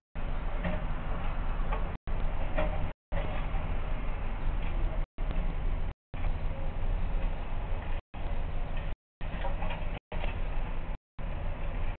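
Steady low rumbling noise with ticking, broken by short silent gaps, and no animal voice anywhere.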